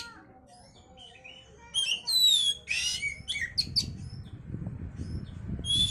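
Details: Oriental magpie-robin song used as a lure to stimulate breeding condition: bursts of clear whistles and rapid chirps high in pitch, loudest in the middle, with low background rumble toward the end.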